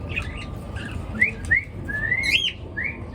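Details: Birds chirping in the morning: a series of short, bright, upward-sweeping whistled chirps, several rising notes close together, with a steady low hum underneath.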